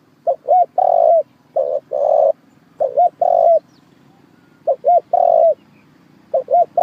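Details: Spotted dove calls used as a trapping lure: low, hollow coos in repeated phrases, two or three short notes then a longer drawn coo, about five phrases over the stretch, against a faint low hum.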